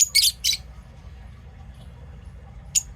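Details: Lovebird calls: two quick harsh, shrill squeaky bursts close together at the start, then a quiet pause over faint low hum before one more piercing short chirp at the end.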